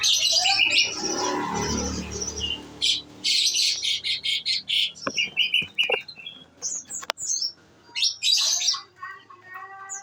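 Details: Olive-backed sunbird in captivity, fed nectar, singing in the rapid 'nembak' shooting style: a noisy rustling start, then a string of high, sharp chips and short trilled phrases with irregular pauses.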